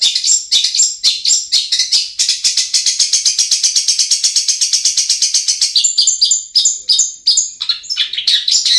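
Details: Long-tailed shrike lure song meant to get reluctant birds singing: a long rapid series of harsh, evenly spaced high chattering notes, with varied whistled phrases at the start and end.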